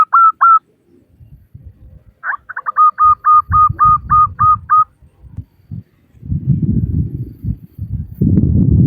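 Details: Female local zebra dove calling males: a few short coos, then a stuttering run into spaced notes, followed by bursts of low rumbling noise.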